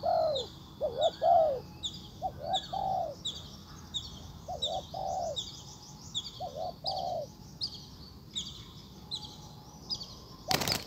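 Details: Decoy spotted dove calling to lure a wild bird back: low, hoarse cooing notes in short clustered phrases, repeated several times with pauses, over high thin chirps of other birds and a sharp click at the end.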